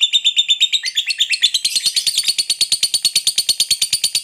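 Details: Long ngekek trill of a fighter lovebird, sung to provoke rival birds: quick shrill chatter that briefly dips lower, then resumes as a fast, even series of sharp pulses to the end.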